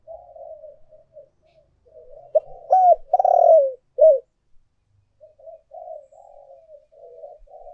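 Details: Spotted dove lure recording of urging and calling coos: one loud, low, hollow cooing phrase of several notes ending in a longer drawn coo, with softer, fainter cooing murmurs before and after.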